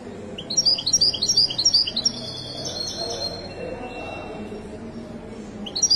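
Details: Moroccan Widani goldfinch at a bird market in Casablanca, Morocco, gives a quick run of sharp, high chirps with a rising-falling lilt, then goes quiet under murmuring voices before a fresh phrase starts at the end.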